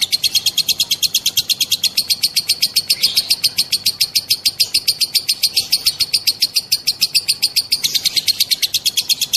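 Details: Female lovebird giving a long 'ngekek' trilling song, meant to provoke other lovebirds into singing: a dense, unbroken, high-pitched chattering trill of rapid repeated notes sustained for over nine seconds.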